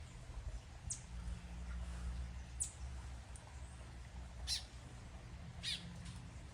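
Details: A female Crimson-backed Tanager (Ramphocelus dimidiatus) gives sharp, high chipping notes, spaced irregularly one to two seconds apart, over a steady low hum.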